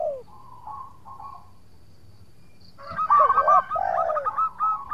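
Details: Local zebra dove in song, suited to luring a rival into replying: soft, low coos at first, then after a pause a loud, fast run of clipped, bubbling coo notes mixed with lower swooping tones.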